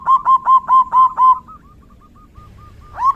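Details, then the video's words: Zebra dove song recorded in the rainy season: six rounded, bubbling coo notes in quick succession, fading into faint soft notes, with another coo rising at the close. "Suara Terapi perkutut/Merbuk di Musim Hujan!!!"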